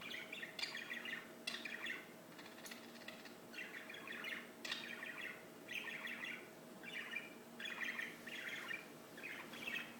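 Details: Birdsong in regular short bursts of bright chirping, roughly one phrase every second, over a persistent low drone.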